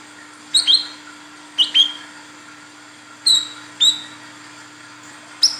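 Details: Olive-backed sunbird female calling to attract a male: thin, high upward-sweeping chirps in pairs separated by about a second of quiet, over a low constant hum.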